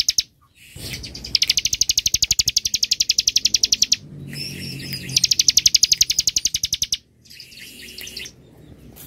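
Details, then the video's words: Bar-winged prinia singing ngebren style, dense and long: extended machine-gun trills of rapid sharp high notes lasting several seconds, separated by short gaps and a few squeakier twittering phrases. "ciblek ngebren aK 47 rapat dan panjang"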